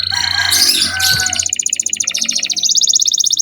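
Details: Canary song aimed at young canaries: a harsh noisy burst opens, then a rapid pulsed trill that steps up in pitch.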